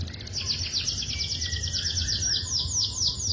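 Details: Young canary song: a fast high trill of repeated notes shifting into slower downward-sweeping whistles, over noticeable low-pitched background noise.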